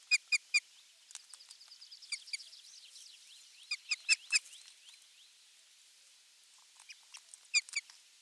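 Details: Osprey at its nest on 23 June 2020, a half-kilo crucian carp being the morning fish; rapid bursts of three or four sharp, ringing notes, with another small bird's high thin trilling between the bursts.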